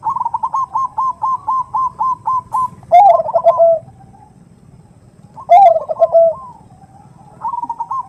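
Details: Hen perkutut calling to a male with the 'nutut' sound used to lure: a long even series of quick stuttered trill notes, then two loud, low rolling coos separated by quiet, and trills returning at the end.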